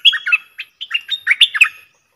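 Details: Lure call of a very old decoy bulbul meant to provoke a rival to fight, recorded 31/12/2021: rapid chattering, warbled phrases, two bursts separated by a brief pause, each of several liquid notes, background otherwise silent.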